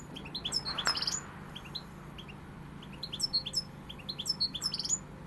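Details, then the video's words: European goldfinch in pegada song: clusters of high, clipped chirps and liquid twittering notes in short bursts, separated by a quieter gap, with a soft low hum behind. "Jilguero pegada"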